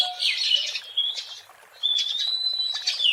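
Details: Oriental magpie-robin singing in the wild, used as a lure: a scratchy warbling burst, then a sustained high whistle, a short pause, and another long whistled phrase.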